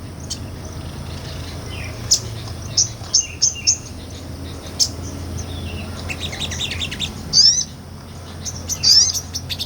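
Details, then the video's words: Small nectar-feeding sunbird in energetic ngobra song, recorded live for tutoring cage songbirds; sparse sharp high chips spaced about a second apart, then two brief rising twittered flourishes. "MASTERAN SOGON NGOBRA"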